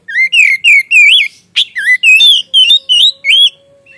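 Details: Oriental magpie-robin in gacor ngeplong lure song: a steady series of about ten loud, curling whistled notes, each rising then dipping, with one sharp click midway.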